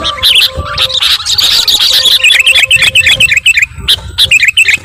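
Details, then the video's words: Sooty-headed bulbul calling rowdily to provoke other birds: fast, bubbly chirps tumbling over each other, several per second, with scattered sharp clicks and a faint low hum. "SUARA KUTILANG RIBUT..bikin burung lain emosii"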